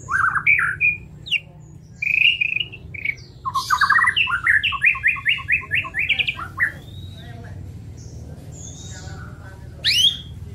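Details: White-rumped shama singing a training song for songbirds: whistled notes, then a fast run of stacked rising chirps around the middle, a quiet stretch, and a final sharp burst, over a low steady hum.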